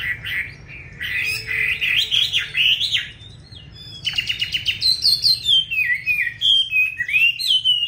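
A Chinese Hwamei sings loud, varied whistled phrases, rising and falling slurs with rapid repeated notes, in two bursts separated by a brief pause.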